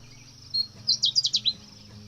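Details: Pale-footed bush warbler singing hidden in a bush during the rainy season on a mountain in northern Thailand, after singing for about twenty minutes: a brief burst of very high, sharp, rapidly repeated notes over a faint low hum.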